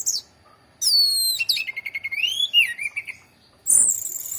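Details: Orange-headed thrush singing a varied phrase of clear whistled notes, high descending slurs then a run of quick warbled notes and rising and falling whistles, ending in a sharp high burst.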